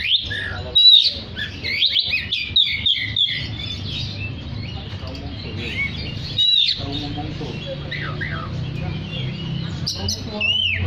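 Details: Oriental magpie-robin song for calling other magpie-robins: lively sequences of quick chirps, trills and whistled notes, a louder burst early on and a rising whistle at the close, set against a steady low hum.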